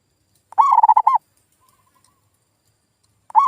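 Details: Lure call of a zebra dove, aimed at local doves gone quiet: one clear phrase of rapid, rolling coo notes, a faint distant coo follows, then another phrase begins at the end.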